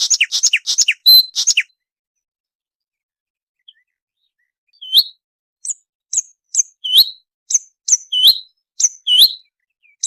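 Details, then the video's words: A sikatan londo flycatcher (Muscicapidae, also called bulbul or kutilang emas) opens with a quick burst of chattering high notes, then after a pause gives short, thin, high whistles with downslurred ends, about two per second. "Suara burung sikatan londo"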